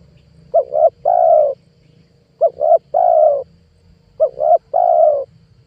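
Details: Spotted dove lure call for trapping wild doves: three regular phrases roughly two seconds apart, each two brief rising notes then a longer steady coo, with a faint hum beneath.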